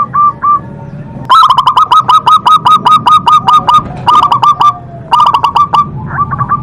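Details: Local zebra dove, described as a frequent singer with a big, powerful voice, gives loud, rapid series of low, even cooing notes with hard clicky onsets, about three per second, in bursts broken by short pauses. A faint background hum is present.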